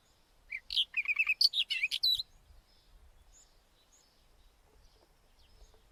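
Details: White-tailed wheatear delivering a quick jumbled phrase lasting under two seconds, mixing buzzy rasps with clear whistled slurs, followed by a quiet stretch with faint low rumble.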